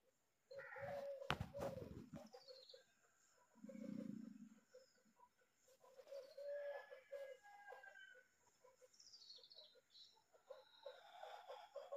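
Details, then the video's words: Young mynas, one baby sitting on top of another, give harsh, rasping notes about four per second with occasional higher chatter; a brief low rumble and rustling are also heard. "Myna one baby sitting over other baby"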